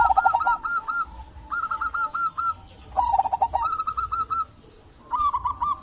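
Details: Local zebra dove in full song, used to encourage quiet doves to sing; quick chains of bubbling, rolling coo notes delivered in runs roughly every second and a half, separated by short pauses, over a faint constant high-pitched hiss.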